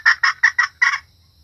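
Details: Hen red junglefowl call, used to lure cocks and other hens: five rapid, harsh clucking notes in just over a second, the last one doubled, then quiet.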